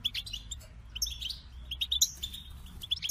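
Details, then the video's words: Goldfinch song: quick high twittering notes and short trills, bursts of chirps spaced through the phrase with a faint low rumble beneath. "The Captivating Call of Goldfinches"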